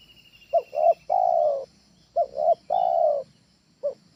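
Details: Spotted dove, trained tekukur ajaran lure call: two complete phrases of two brief coos leading into a long even coo, roughly 1.6 seconds apart, then one short opening note. Faint steady hiss behind.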